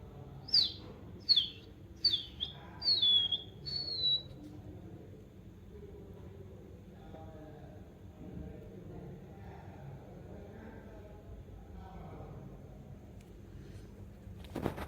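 A budgerigar gives five quick, high, down-slurred chirps, then falls quiet over faint room noise.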